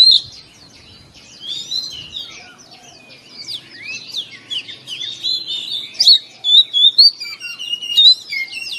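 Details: Caged white-rumped shama in morning song; starts quiet, then builds into a dense, varied stream of sharp high whistles, rising and falling slurs and rapid chirps, growing louder and choppier toward the close.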